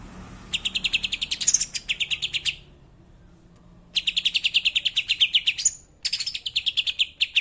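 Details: Greater green leafbird singing in the tembakan kapas tembak style: long runs of rapid, evenly repeated high chips, broken by brief pauses and a few higher sweeping notes.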